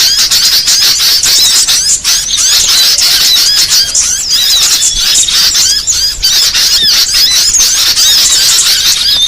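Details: Lure sound for catching small birds: rapid, overlapping high chirps and curled whistled notes in a constant twittering mass, several birds seemingly calling at once throughout.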